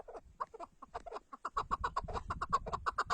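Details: Chukar partridge starting with scattered clucks that speed into a quick, rhythmic chuckling series, with low rumbling noise underneath in the second half.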